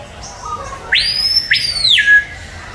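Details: Screaming piha in a zoo enclosure at San Diego Zoo: a soft low whistle, then two swift upward-swooping whistles joined into a sustained piercing note that falls to a lower tail at the end.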